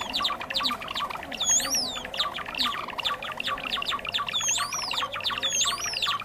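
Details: Chattering Java sparrow chorus, a bird of paddies and fields, used as a trapping lure: busy clicking chips with looping, sliding high whistles returning in regular bursts.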